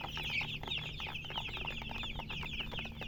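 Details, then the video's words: Young chicks chirping in quick succession, bright high peeps packed closely together over a soft low drone. "MURGI Baby "Chicks Chirping" Sound"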